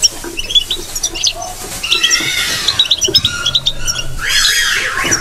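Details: European goldfinch batbata chattering: quick high twitters, a held buzzy phrase, then a rolling wavering trill toward the end, with low background rumble.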